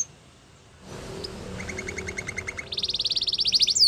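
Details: Canary singing, described as in the wild, for training young canaries. Faint background noise opens, then soft repeated pulsed notes build into a loud, fast, bright trill near the end.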